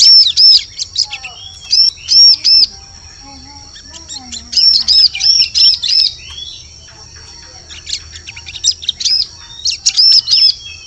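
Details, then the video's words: Bar-winged prinia lure calls for attracting birds in forest: bursts of high, arched chirps, each burst three to five notes, separated by quiet gaps, with a faint steady high tone and low hum behind. "Suara Pikat Burung Ciblek Cocok Untuk Memikat Di Hutan"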